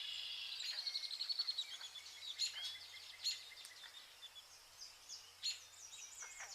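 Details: Vernal hanging parrots enjoying pearl millet in August utter a quick pulsed series of high chips, then scattered sharp squeaks and a few wavering shrill notes toward the end.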